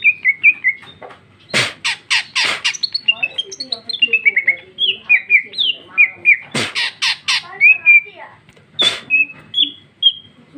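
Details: Female greater green leafbird singing in the prolific, loud open 'gacor ngeplong' style, rich with varied filler phrases: clear descending whistles and slurred notes interspersed with sharp, loud clicking bursts, delivered continuously and quickly.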